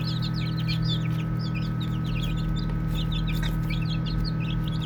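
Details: Chorus of baby chicks chirping during play: clusters of sharp, high peeps in quick runs with short gaps, backed by a steady low hum.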